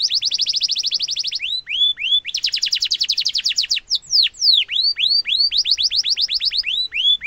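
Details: Rolling canary song used as a model for young and adult canaries: an extended rapid trill, looping upslurs, a second fast roll, then a string of falling whistles and quick repeated curved notes.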